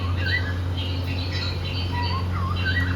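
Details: Singing pet cockatiel, happy and playing, makes scratchy squeaky chirps and short swooping whistles in quick succession, with a constant low hum beneath.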